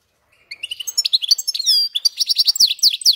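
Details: Goldfinch × canary hybrid in full song: a quick, varied stream of sweet twitters, slurred whistles and a short rattling buzz, loud and unbroken for nearly three seconds, with faint clicks behind.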